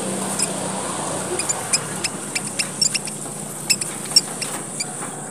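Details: Lure sound of the red munia from Papua, Indonesia: sparse, very high, thin chip notes at uneven intervals over a constant high-pitched hiss and a faint low hum.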